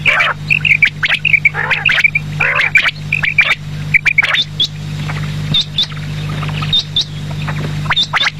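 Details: Quail calls for the evening: short bright notes in rapid groups alongside harsh squawks early on, then sparse thin high chirps, over clicking and a constant low hum.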